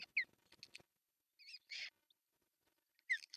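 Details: Osprey at an artificial nest in Pohjois Satakunta, Finland, on June 10, 2024, as the male brings a large fish for breakfast; short, high, downslurred chirps and squeals separated by quiet gaps, with a few clicks.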